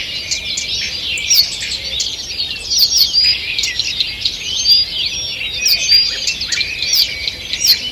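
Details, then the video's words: Early-morning chorus in a forest on 2 June 2023, where numerous birds pour out high twitters, chirps and brief trills, dense and continuous, with occasional sharp clicking accents. "Утреннее пение птиц"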